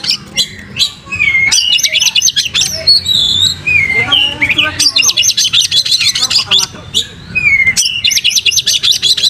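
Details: Oriental magpie-robin (kacer) singing vigorously while spreading its tail, as a lure song: bursts of rapid, high, stuttering notes alternate with clear whistled slurs and rising-falling phrases, brief pauses between bursts, faint low background hum.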